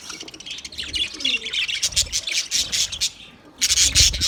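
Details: A group of budgies twittering: scratchy high chirps and warbles that pause briefly near the end, then return in a louder, bright burst of chatter.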